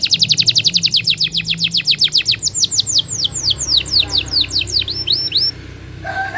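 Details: Singing canary used to stir lazy canaries into song: fast series of descending whistled sweeps slowing into spaced slurs, then short rising notes, over a low electrical hum.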